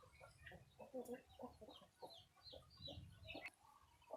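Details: A small pet budgerigar held in the hand gives quick, scratchy chirps and chattering notes at close range.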